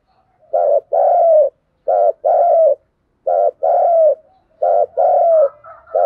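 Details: Steady paired cooing from a spotted dove in luring call (thúc gù) style, a clipped coo and a longer sliding coo, repeated four times plus a final fragment, clean with nothing else heard.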